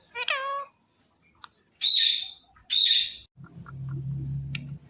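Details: Green Indian ringneck parakeet kept as a talking pet: a short harmonic, voice-like phrase, then two loud harsh screeches about a second apart, ending with soft low rumbling background noise.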